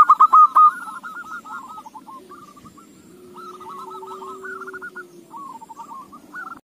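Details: Zebra dove song played so other doves will answer in song: an opening loud burst of quick coos, then softer rolling, stuttered phrases over a low steady hum.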